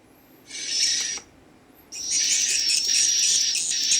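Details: Swiftlet chicks give dense, high, hissing "cit" chirps packed close together, mixed large and small, in one short burst and then a longer continuous run; adult swiftlet sounds are mixed in.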